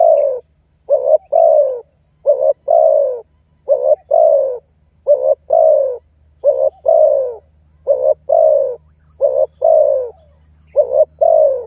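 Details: Lure recording of a spotted dove, meant to summon and intimidate a rival. A long, steady series of paired low coos, short-then-long, repeats regularly about every second, with a faint low rumble underneath.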